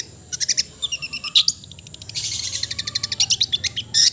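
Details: Long-tailed shrike giving a melodious song: bursts of sharp, high clicking notes, then a dense chattering run of rapid scratchy notes and a final short buzzy burst.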